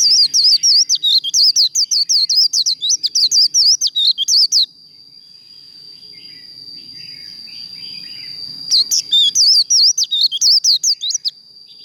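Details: Contest-trained Japanese white-eye song: a fast stream of high, wavering whistled notes for over four seconds, then a sustained pure high tone lasting several seconds with faint low rumble, ending with another short burst of rapid twittering.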